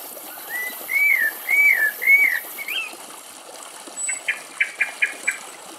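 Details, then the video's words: Common blackbird singing while another blackbird drinks and a thrush bathes in rainwater beside young sparrows: a series of mellow, slurred whistled phrases, followed by a run of short, sharp, higher chirps. "Κελάηδημα Κότσυφα - Blackbird song"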